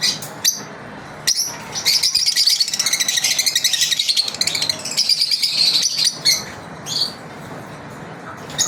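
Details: Pet lovebirds during their daily routine, a busy run of shrill high chirps and squeaks overlapping almost continuously, with brief pauses and a few sharp clicks between bursts.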